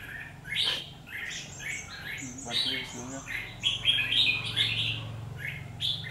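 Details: Red-whiskered bulbul used as a trap bird, singing an intense fighting song on 17 October 2019: short, bright, warbled phrases repeated rapidly, with a low background hum and faint voices underneath.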